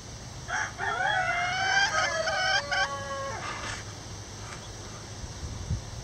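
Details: In a backyard chicken sanctuary, a bantam rooster gives one crow of about three seconds, a harmonic-rich, wavering phrase that rises then falls and ends abruptly, followed by faint background sounds.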